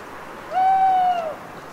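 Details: A lone owl calling at night in a wood in the Cévennes foothills, Les Assions commune, after a long autumn rain. One mournful, drawn-out hoot, steady in pitch with a slight rise at the start and a droop at the end, over a soft hiss of dripping water.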